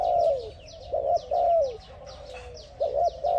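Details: Spotted dove calling another dove, used as a lure: low, mellow coos that drop at the end, repeated several times, with a steady background of high, thin chirps from other birds.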